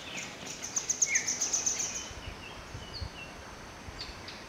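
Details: Wild Vernal Hanging Parrots feeding at Nameri, India: a quick run of about eight thin, very high squeaky notes in just over a second, then a few fainter high chips over soft background hiss.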